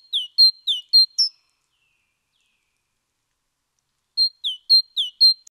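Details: A great tit on 29 October 2017 sings two quick bursts of bright, high two-note phrases, about five clear whistled notes each, separated by a few seconds of silence.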